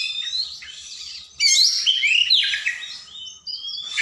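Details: Oriental magpie-robin (kacer) in a long, loud tutor recording for lazy singers: soft high whistles, then a loud burst of sweeping, slurred notes and rasps, with faint low tapping sounds.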